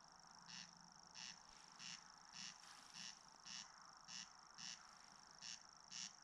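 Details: Rasping, crex-like bursts from a Corncrake at Ridala, West Estonia, summer 2019, repeating steadily about twice a second, ten times, while a Common Grasshopper Warbler reels without pause in a high steady buzz; GoPro Hero 7 Black recording.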